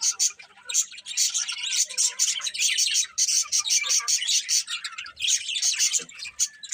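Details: Birds chirping in the morning, a dense chatter of high, rapid tweets and short twittering notes running almost without pause, with brief dips in loudness.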